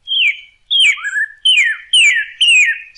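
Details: Singing northern cardinal, recorded for teaching birds to sing: five loud, clear whistles, each slurring sharply down, spaced about half a second apart, one followed by a brief rising note.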